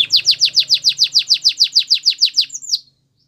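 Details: Canary song intended to encourage other canaries to sing, a clean run of about fifteen evenly spaced falling whistled notes, roughly five per second, ending in two higher slurred notes and then silence.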